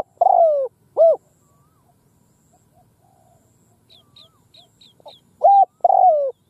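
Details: Decoy spotted dove cooing in an open field to lure wild doves. Two low, rounded coos open the clip, then soft faint notes, then two more loud coos at the end. Faint high chirps are heard in the middle.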